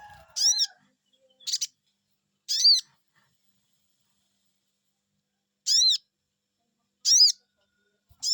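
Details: Sogon bird responding to a lure: high, thin, upslurred 'cuiit' whistles, three in quick succession, then a gap of nearly three seconds before three more spaced about a second apart, over a quiet background.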